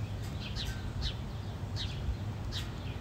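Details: Fighting house sparrows give four or five separate bright, downslurred chirps spaced about half a second apart, set against constant low-pitched ambient noise.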